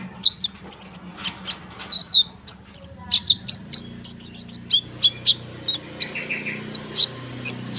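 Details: Rolling konin bird song used to excite other birds: closely spaced high chirps and whistles over a low background hum.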